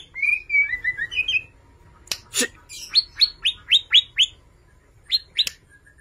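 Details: Borneo White-rumped shama singing heavily, used to lure stalled shamas into song: a few warbled whistles, two harsh bursts, then a fast series of high descending chips about four per second.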